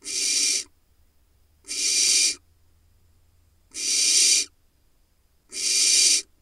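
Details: At a Hula Valley, Israel nest box, a young barn owl nestling harasses its father as he brings a vole, begging with harsh, hissing snores, each under a second and coming about every two seconds.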